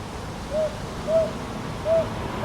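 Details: Northern boobook recorded on 22 May 2023 in Ichijoji, Sakyo Ward, Kyoto, with a TASCAM DR-100MKIII: three soft, mellow mid-pitched hoots spaced unevenly over two and a half seconds, over a low steady background hum.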